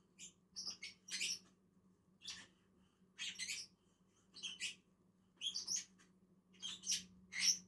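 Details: Two lovebirds feeding on a tree give repeated bright, piercing chirps in twos and threes, some with clear whistled tones, at uneven intervals.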